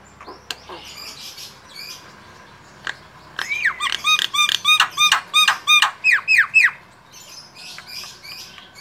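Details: Javan myna (jalak kebo mata putih) singing a full variety of its song: scattered sharp clicks, then a fast run of loud arched squeaky notes about three a second, fading into softer chatter, in a quiet room.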